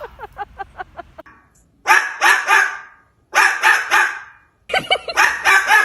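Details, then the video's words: An extremely noisy pet cockatoo gives a quick run of short, clipped calls, then three loud bursts of harsh, grating screeches, each made of several rough pulses, while people laugh and talk. "There is a cockatoo, and they are extremely noisy."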